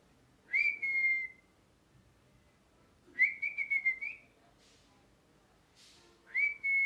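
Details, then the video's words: Parrot chirping with high whistled notes. Each begins with a fast upward sweep and then holds a flat tone, and one note breaks into stuttered pulses. Gaps of about two seconds separate the notes, over a low background murmur. "Parrot Chirping Sounds | Natural Parrot Sounds | Parrot Calling Sounds"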